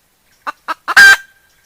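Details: Decoy hen cackling in the kataak style: three quick clucks followed by a single loud, raspy, drawn-out squawk that trails off into silence.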